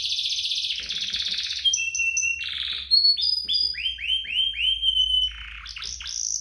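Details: Master song of a lively canary for training young birds: buzzy trills, flat whistled tones and a series of clear descending slurred notes, then a quick jumble of rising sweeps.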